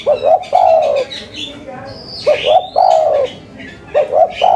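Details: Spotted dove of local stock, calling in the cetrekan style: a pair of clipped low coos leading into a long falling coo, given three times, with a brief sweeping whistle from another bird between phrases.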